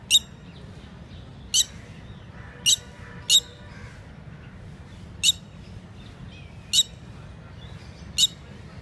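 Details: Red-wattled lapwing, locally called Titodi, at a lake in India during mating activity; sharp, loud, very short shrill notes given singly or in quick pairs, irregularly spaced one to two seconds apart, over a quiet low background hum.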